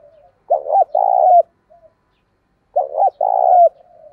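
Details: Spotted dove kept as a lure bird to provoke wild doves into cooing, voice style called thổ sấm or thổ bầu; two loud, low hollow coo phrases, each a quick double note then a long held coo, about two seconds apart, with faint soft notes around them.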